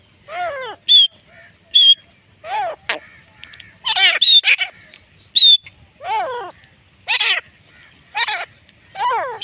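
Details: Black francolin, native Pakistani partridge used in hunting, calls in a series of harsh, down-arching notes repeated about every second, mixed with a thin high whistle from another bird.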